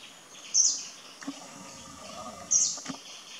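An Indian blackbird gives two brief, very high, thin notes about two seconds apart over quiet outdoor background noise.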